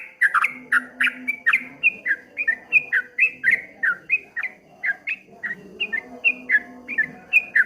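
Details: Streak-eared bulbul in 'ropel ngombak banyu' song, a rolling stream of short descending whistled notes, alternating higher and lower, repeated rapidly throughout with light background noise.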